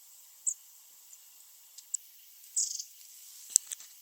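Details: Fast-moving long-tailed tits (Shima-enaga) give brief, very high-pitched call notes: a sharp note, a few faint ticks, then a longer, slightly buzzy burst followed by two quick sharp notes near the end.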